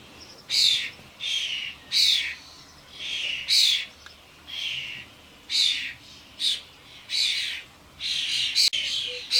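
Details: Harsh, screechy rasps from common starlings, adult birds that have brought their fledglings to a suet feeder in a garden; loud noisy bursts repeat about once every second in a steady pulsing series, with many birds around.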